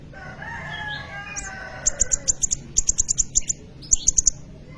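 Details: Sunbird known locally as kolibri ninja, singing in full voice for use as a training lure for other birds: bursts of sharp, very high ticking notes in quick runs, after softer lower warbling phrases, over a low background hum.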